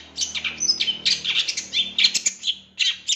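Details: Long-tailed shrike song used for training other songbirds: rapid varied burst of sharp high chirps, buzzy notes and short whistled phrases, dense and mimic-like, with a faint steady low hum beneath.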